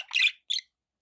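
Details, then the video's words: Pet budgerigars kept indoors: two short bright chirps, a longer scratchy one then a brief squeaky note, then quiet. "1 hour of budgie sounds"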